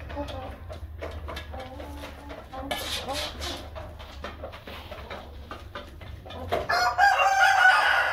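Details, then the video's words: Light Columbian Brahma chickens at a poultry farm, low clucking and clattering for several seconds before a strong drawn-out rooster crow closes the recording, with a low background hum throughout. "Light Columbian Brahma"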